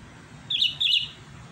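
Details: Sooty-headed bulbul answering a rival with a brief bubbly double phrase of high warbled notes, over a low background hum.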